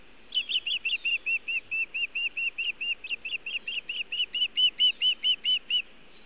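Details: Osprey at a nest camera in Montana, a bird arriving with nest material but no fish, early evening of 1 June 2017; a rapid run of about twenty-five sharp, high chirped notes, steady and evenly spaced, over quiet background.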